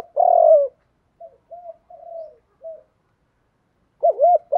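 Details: Spotted dove performing Thúc Đấu calls to provoke wild doves. A strong, drawn-out falling coo opens the clip, then several faint, short, low coos follow, and finally a loud double arched coo.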